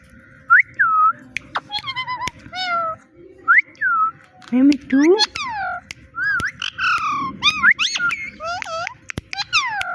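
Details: Little parrot mimicking "Mitthu" and a cat's "meow": whistled arching notes, then a dense, rapid medley of harmonic calls and low rising meows, with clicks throughout.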